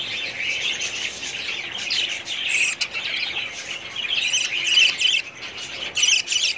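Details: Budgerigar breeding colony in 2017, many birds giving a steady squawky warbling chatter with intermittent sharp, louder squeaks standing out.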